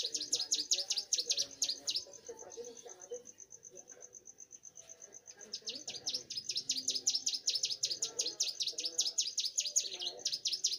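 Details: Young bar-winged prinia in full song: rapid runs of high, sharp chip notes, about two to three per second, broken by a quieter stretch, with a steady thin high tone and faint low murmuring behind.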